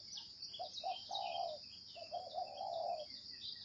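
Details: Spotted dove in 'gáy gù' calling: soft stuttered coos build into a long mellow drawn-out note, and the phrase repeats with a longer final coo, over a persistent high buzz.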